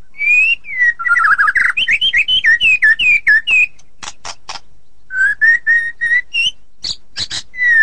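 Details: White-rumped shama singing a rapid string of looping whistles, about four per second, then scratchy bursts and a series of level clear whistled notes.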